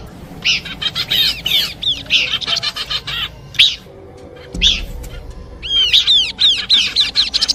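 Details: Combination song of Horsfield's babbler meant for bird luring, a run of rapid chirps and down-slurred whistled notes, brief quiet gaps, then a dense closing series of arched, repeated whistles.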